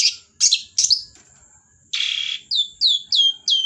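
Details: Long-tailed shrike in lively song: three scratchy chirps, then a long raspy buzz, followed by four clear downslurred whistles in quick succession, with a faint constant high tone behind.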